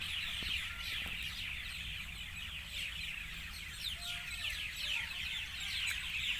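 A dense evening chorus of many birds: continuous high chirps and twitters over low background rumble, with a few faint clucks or whistles.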